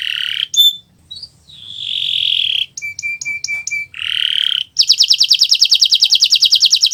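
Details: Kenari Nusantara canary in gacor song, meant as a learning model for other birds: drawn-out buzzy notes, a string of short pure pips, another buzz, then a fast dense rattling trill.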